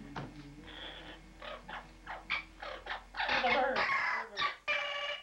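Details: Pet parrot in a bathroom, reacting either to its reflection or to pigeons outside: a series of short rough chatters building into longer, loud, harsh squawks, several per second.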